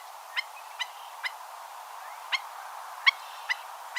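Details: Stilt giving sharp, separated 'tip' notes at uneven intervals, about seven in four seconds, over a steady hiss of background noise with faint other sounds between the notes.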